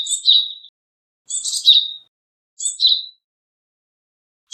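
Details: Repeated calls of a Japanese tit: four high, harsh buzzy notes, each trailing off into a thin whistle, coming roughly every one to one and a half seconds in an otherwise quiet setting.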